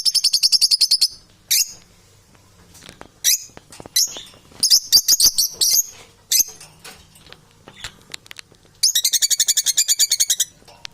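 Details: Domestic parrots calling in loud, high, buzzy rattling bursts, long repeated series at start and end with scattered sharp clicks and short squeaks between.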